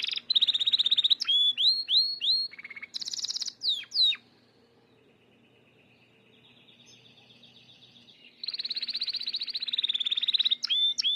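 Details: Gloster canary warming up for breeding: rapid trills and repeated rising whistles, a buzzy high burst, a few seconds of soft distant twittering, then fast rolling trills resume.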